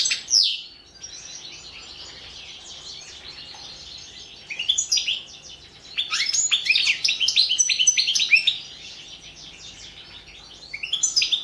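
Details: Entry in an online world goldfinch singing contest: a European goldfinch gives short twittering bursts separated by quiet pauses, the longest a lively two-second run of rapid chirps and trills.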